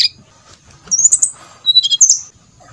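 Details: Brown-chested jungle flycatcher song, a lure to make birds sing: two short, fairly quiet bursts of high, shrill whistled notes separated by a brief pause.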